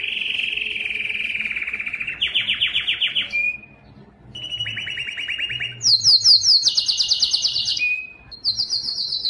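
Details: Singing Belgian canary delivering distinct trilled tours separated by short gaps: a steady lower trill, a faster rattling run, a pause, then high rapid repeated notes and a short whistled tone.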